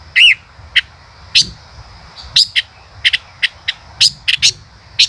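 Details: The song of a male common rosefinch starts with a wavering whistle. Many sharp, high chip notes come every half second or so, some in close pairs, over a thin steady background tone.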